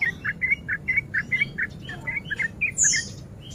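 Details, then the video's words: Breeding male sooty-headed bulbul in ropel song, used to goad rival bulbuls: a short run of clipped, bubbly chirps at a steady mid pitch, about four a second, ending with a high, thin slurred note. "Pancingan Trucuk Gacor Ropel Garuda Over Birahi"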